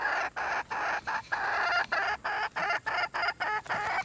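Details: Red junglefowl hen repeating loud, raspy, noisy calls about three times a second, each burst separated by a brief pause.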